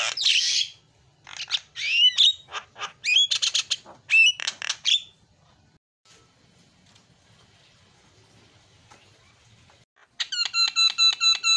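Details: Asian pied starling, noisy 'isian' fill-in song: harsh squawks and sweeping whistles for five seconds, a long quiet spell, then a run of regular ringing, buzzy repeated notes.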